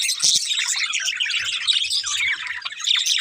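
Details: A group of budgerigars keeps up a dense, high, warbling chatter of overlapping chirps with brief whistled notes. Soft low thuds sound in the background.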